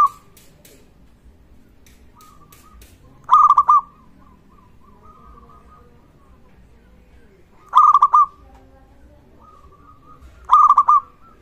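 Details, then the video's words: Local zebra dove singing actively, suited to coaxing lazy or silent zebra doves into song: three separate bursts of quick, rhythmic cooing notes, spaced several seconds apart, with faint soft coos in between. "perkutut Lokal gacor suara ini sangat cocok untuk masteran pancingan semua jenis burung perkutut"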